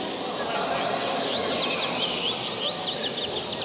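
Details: A young Double-collared Seedeater from a breeding aviary sings during a fibre song trial, totalling 178/163 songs per round. It gives a fast, continuous run of high chirping and twittering notes over a steady background hiss.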